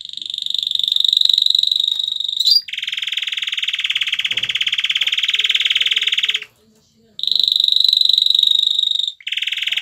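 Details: A male canary courting and dancing toward a female to stimulate mating sings long, rapid buzzy rolls, each two to four seconds, switching between a higher and slightly lower trill with brief pauses.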